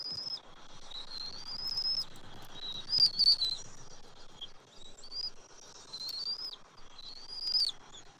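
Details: Bald eagle nest on a Saturday morning in late January 2024, the adult male feeding fish to the eaglet: a string of high, thin, wavering whistles, some rising and some falling, repeated about every second over a soft background hiss.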